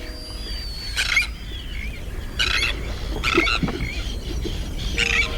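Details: Black guillemot on its far northern breeding grounds gives high, thin whistles and short squeaky, buzzy bursts roughly every second, over a steady low rumble of wind or surf.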